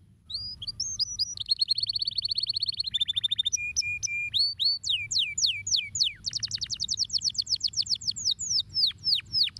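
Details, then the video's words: Canary song made of sustained rapid trills, a steady low whistled note, sharp rising and falling whistles, then quick series of descending notes; bright, high and continuous, over a soft low background hum. "stimola rapidamente il cinguettio del canarino"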